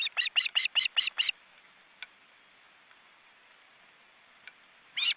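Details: Webcam at a wild osprey nest in an Estonian forest reserve, with four birds including well-grown chicks. Seven quick piping calls, then near silence with a few faint ticks, then another call at the end.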